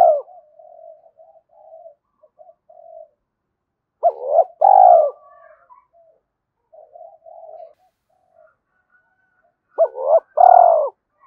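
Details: A spotted dove gives cooing phrases meant to quickly draw another dove into cooing. Soft low murmuring notes alternate with two strong phrases of hooked notes and long falling coos.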